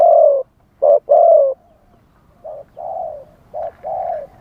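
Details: Live spotted dove calling to lure wild doves: low hollow cooing notes in short groups, loud at first then softer further on, with faint background rustle.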